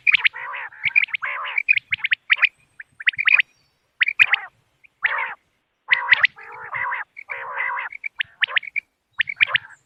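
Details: Common quail, locally called bater, in a recording used to lure birds on moonlit nights. Rapid sharp chirps are mixed with lower, rasping harmonic notes in busy, irregular phrases.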